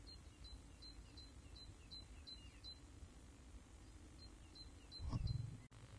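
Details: Great tit at a nest box in central Apeldoorn, 2010, giving short, thin, high chirps about three times a second in two bursts, over a steady low rumble and one loud knock near the end.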